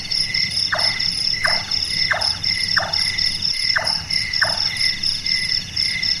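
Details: Large-tailed nightjar calling in darkness: six hollow chonk knocks in a steady series, each a short falling note, likened to a carpenter at work. Persistent high insect buzzing and trilling surrounds the calls.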